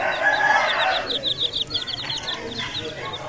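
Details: Aseel chicks giving a busy chorus of high, thin downslurred peeps, many per second, with a lower harmonic fowl call at the start.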